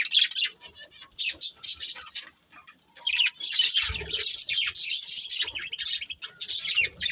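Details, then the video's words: Several pet budgies chirping together: fast high warbles and chips, a quiet gap of about a second, then a loud sustained stretch of overlapping chatter with faint low thumps. "Cute Budgies Chirping Sounds"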